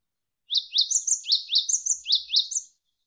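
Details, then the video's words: Javan sparrow singing loudly for training other songbirds: a clean series of high, sharply descending chirps, roughly three or four per second, interleaved with fainter, higher tinkling notes, with almost no background. "MASTERAN GELATIK WINGKO Gacor Berjeda 1-3 Menit"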